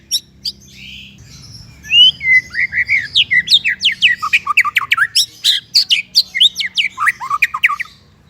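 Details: White-rumped shama, a song recording for training birds: soft opening notes, then a lively run of rapid falling whistles and sharp chirps repeated for several seconds, over a low background hum.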